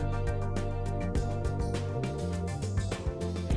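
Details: Soft new-age instrumental music with sustained low tones and light guitar, and no animal voice.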